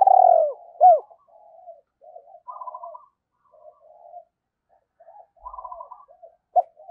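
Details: Decoy spotted dove calling to lure wild doves: a strong descending coo and one arched hoot at the start, then softer, quieter cooing and faint trills for the rest.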